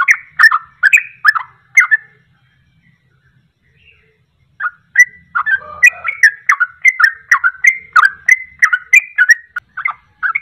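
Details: Sooty-headed bulbul rapid-fire song used as a lure to draw birds into singing along: bubbly, slurred whistled notes repeated quickly in runs, a pause of about two seconds, then a longer steady burst of rolling phrases.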